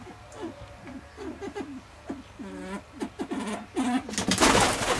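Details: Captive Mrs. Hume's pheasant at a pheasant farm making soft, low clucks and chuckling notes in irregular bursts, some slightly drawn out. Near the end a loud rustling or scraping noise drowns them out.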